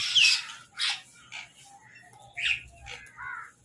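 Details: Crows squabbling over food while eating: harsh, broadband caws in short bursts, one loud near the start, another around one second, then scattered quieter squawks and a lower, nasal call at the end.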